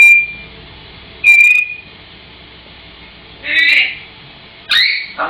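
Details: Grey parrot singing: two clear, steady whistles near the start, then two rougher, voice-like phrases a second apart, with faint background hiss throughout.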